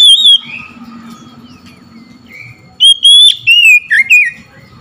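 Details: Oriental magpie-robin singing after hearing another magpie-robin: a short whistle and soft murmurs, then a loud run of five slurred whistled notes falling and rising in pitch.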